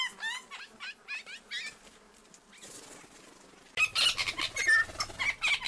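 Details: Tui song: a jumble of quick, wavering high notes, then a wheezy pause and a burst of loud clicks, rasps and clear whistles.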